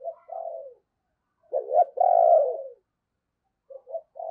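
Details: Decoy spotted dove prized for its deep, booming voice, calling to draw in wild birds. A short coo, then a loud stressed double note with a long drawn-out hoot, then softer quick notes. No other sounds are heard.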